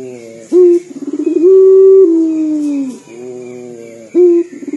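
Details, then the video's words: A local Barbary dove in full voice with its crying-like dor coo: a short sharp rising note, then a drawn-out humming tone falling slowly, followed by a soft low purr, the pattern starting again. "PUTER LOKAL GACOR DOR SUARA SEPERTI MENANGIS"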